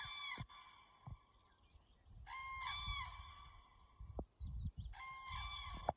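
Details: Crane giving three loud, rattling, harmonic bugle calls roughly two and a half seconds apart, each lasting about a second, over low rumble and occasional thumps.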